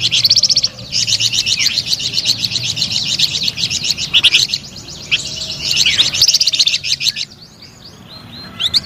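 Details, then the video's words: Lively flamboyan bird song of dense, high-pitched twittering phrases in rapid succession. There are brief pauses near the middle and a quieter, sparser stretch of notes at the end. "SUARA MERDU DAN GACOR BURUNG FLAMBOYAN"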